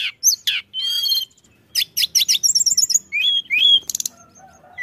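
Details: Pied bushchat song used to bring other birds close: sharp high notes and a rattling buzz, a short gap, then rapid chips, a run of fine trilled notes and falling whistles.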